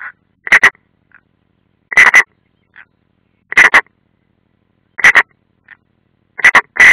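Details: Paired harsh croaking bursts repeat about every one and a half seconds, with faint short notes between, from European rollers at a nest in Ādaži training area, Latvia, 30 June 2016.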